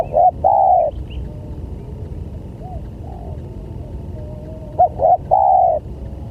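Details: Spotted dove call used as a lure to attract other doves: two loud cooing phrases near the start and end, each a short note then a longer flat drawn-out coo, with faint distant coos between over a low background hum.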